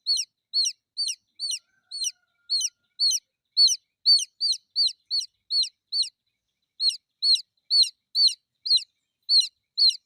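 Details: Chick calling for its mother hen: a steady string of bright, high, downward-swept peeps, about two per second, with one short pause midway and no other sounds.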